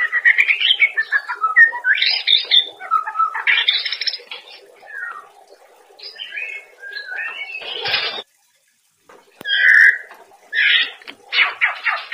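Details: White-rumped shama master song used to train cage birds to sing freely: loud, varied bursts of whistles, slurs and harsh notes, broken by a silent gap before the final phrases.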